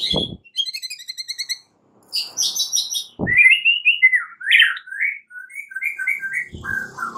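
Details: White-rumped shama fighting song at morning: a rapid string of high ticking notes, a buzzy burst, then jumbled chirps and slurred whistles, with dull knocks at intervals.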